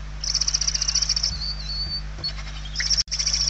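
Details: Hungry barn owl chicks begging inside a nest in Spain, 28 November 2023, one chick very weak; long hoarse hissing rasps, a rapid pulsed hiss followed by shorter breathy bursts.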